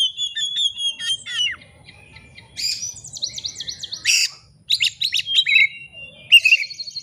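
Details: Lure song of an oriental magpie-robin, meant to provoke a rival into unloading its mimicked repertoire: high level whistles, quick descending slurs, a dense buzzy burst and varied chirps. A faint low rumble sits underneath.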